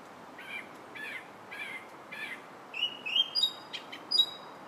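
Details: A July song thrush repeats a buzzy, mid-pitched phrase four times, then switches to higher, sharp whistled notes and thin piping phrases.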